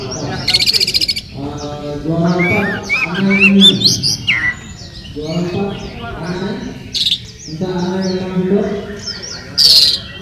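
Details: Oriental magpie-robin, or murai kampung, singing at a 2018 bird song contest in Sri Aman, Sarawak, Malaysia: loud, varied high whistles and sharp trills in bursts, over lower voices and harmonic background sounds.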